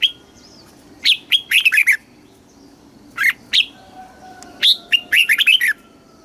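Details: Caged-bird song of a red-whiskered bulbul from Thailand in the southern master style. Sharp rising whistles and lively tumbling note runs come in three short bursts against a quiet background.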